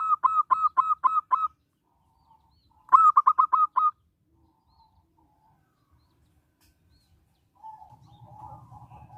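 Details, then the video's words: Local zebra dove song for luring other zebra doves into singing: two bursts of seven rapid, rounded coos separated by a pause of about a second and a half, followed by faint low murmuring sounds. "Perkutut lokal gacor suara menghipnotis burungmu"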